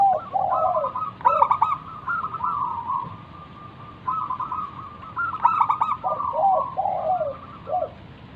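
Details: Local wild zebra dove singing actively, used as a lure to make other doves answer: bursts of rapid, rolling, stuttering coos near 1.3 and 5.5 seconds, with lower rolling cooing phrases between and a steady thin tone behind.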